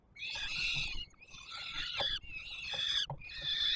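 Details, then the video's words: Young peregrine falcons at a Warsaw nest site on the Palace of Culture and Science, 7 July 2022, clamouring for food as the male feeds them; drawn-out rasping wails in four long bursts separated by brief pauses. "Franek karmi maluchy"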